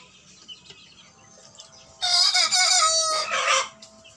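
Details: Three young male free-range village chickens, 60 days old, crowing for the first time on a small home farm in Parapat; a short, harmonic, slightly cracked crow lasting under two seconds, with faint background noise before it.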